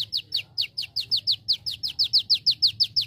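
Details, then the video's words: Olive-backed sunbird repeating a sharp, high downslurred note about three times a second in a steady, persistent series, used as training song for other birds. A low hum runs underneath. "MASTERAN ( KONIN ) KOLIBRI NINJA GACOR isian CELILIN"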